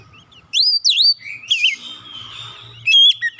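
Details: Oriental magpie-robin song played as a lure to get a stressed bird singing: whistled notes sweeping up and down, a brief warbled trill, then sharp high whistles, with a faint low rumble underneath.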